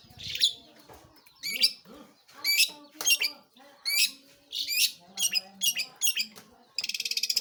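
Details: A long-tailed shrike (cendet, pentet) sings a varied string of squawky and chirping high notes, each burst roughly every half second, ending in a fast buzzy rattle.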